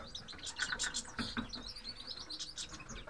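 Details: Grey-headed (Himalayan) goldfinches (Carduelis caniceps) give bright, tinkling twitters and short chirps in quick overlapping bursts, with several birds calling over a soft background hiss.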